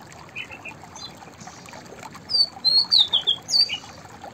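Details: High, clear whistles from a white-browed fantail form a lively descending-and-rising phrase of roughly six notes, preceded by a couple of faint softer chirps.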